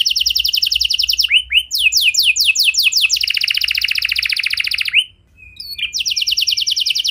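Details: Canary song to get other canaries singing: dense fast trills, swooping upslurred notes, a very rapid buzzing roll, a short gap, then another quick trill.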